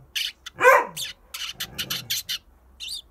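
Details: Kept Eurasian tree sparrow set out by a front door to sunbathe, answering a barking dog: quick bursts of sharp, high chirps, with one loud dog bark early and a low rumble in the middle.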